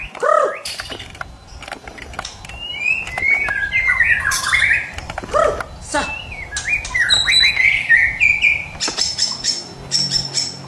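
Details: Varied White-rumped shama song, a full-repertoire Medan bird used as a morning training lure: scattered clicks and sharp ticks, fluttering mid-pitched warbles and short rising whistles, with a steady faint background hiss.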